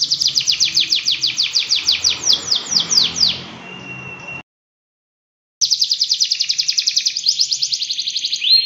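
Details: Canary delivering long, energetic training song to set other canaries singing; rapid rolling trills of sweeping notes end in a thin held whistle, then a moment of total silence before a quicker, tighter trill resumes.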